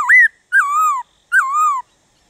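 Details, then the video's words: Black-throated laughingthrush song meant to rouse other birds into singing: three clear whistled phrases, the first rising and the next two sliding down and then drawn out, spaced under a second apart, with a clean background. "Khướu Hót DÉO BỔI - GỌI BỔI kích thích bổi hót"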